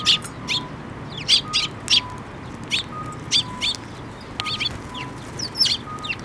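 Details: Sparrows gathering to be fed at a bridge at a Tenmangu shrine on 5 May 2024, giving quick high chirps in clusters of two or three throughout, over a steady background of alternating electronic beeps.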